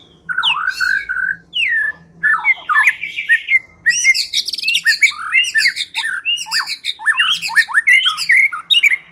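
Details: White-rumped shama used as a lure to make birds sing, giving harsh scratchy notes and downslurred whistles, then a long busy stretch of mixed chips, rasps and whistles.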